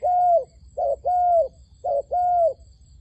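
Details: Decoy dove at a trap calling to lure wild doves: low, hollow coos, each a short note followed by a longer, level, slightly falling note, the pair repeated about every second. The background is quiet.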